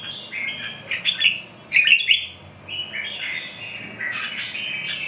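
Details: Red-whiskered bulbul singing short, bright chirpy warbled phrases in bursts, with a louder fluttering run midway and softer twittering notes between them over a quiet background hum.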